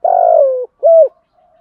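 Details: Spotted dove decoy calling to wild birds: a long, rough, slightly falling coo followed by one short clean ending coo, then faint soft murmuring.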